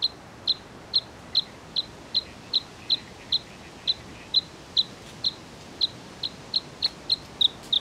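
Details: Bluethroat song: a steady run of sharp, clipped high notes repeated about every half second, each a brief metallic tick, with little else besides faint background hiss.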